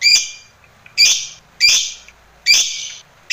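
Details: Lovebird from a master recording used to teach other lovebirds: four loud, harsh, grating chirps spaced roughly every half to one and a half seconds, each starting sharply and trailing off.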